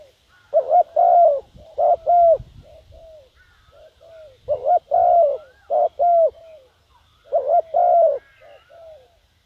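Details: Decoy spotted dove calling to lure wild doves: three bursts of deep, hollow cooing phrases, each a few quick coos followed by softer trailing notes, with pauses between bursts and faint low rumbling behind.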